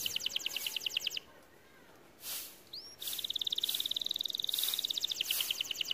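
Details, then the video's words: A white canary sings quietly: a fast trill, a pause with hissing noise, then a long even trill of high notes under bursts of broadband noise. "White Canary Bird Singing | Sound of nature | Canary song"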